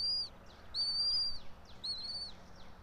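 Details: Bald eagle at the nest of a resident pair, 90 feet up in a pine, Johnson City, Tennessee, early morning 06:28, 04.03.2024: three quick, thin whistled notes, the middle one longest, over faint hum.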